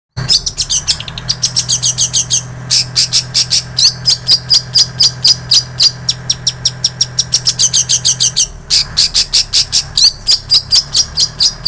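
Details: Long-tailed shrike singing mimicked phrases of bar-winged prinia and canary, used as training audio for songbirds: long runs of sharp, high chipping notes, several per second, with brief pauses, over a steady low hum.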